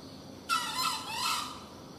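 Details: Junglefowl crowing during a hunt: one hoarse, harsh, harmonic-rich call about a second long, starting loud and swelling again near its end, over quiet rural background noise.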